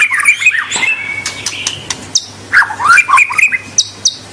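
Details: White-rumped shama song meant to spur young and juvenile birds into singing and long chattering: rich rising and falling whistles around mid pitch, mixed with sharp high clicks and brief high buzzy notes in quick succession.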